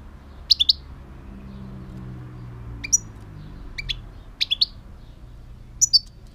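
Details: European goldfinch calling in short bursts of two or three crisp, high, twittering notes, spaced a second or more apart, against a steady low hum.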